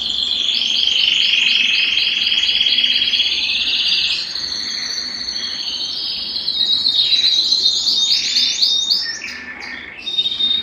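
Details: Long Belgian canary song for stimulating males and bringing females into breeding condition: rapid high trills, a dip into softer warbled rolls midway, then clear sweeping notes and renewed trilling.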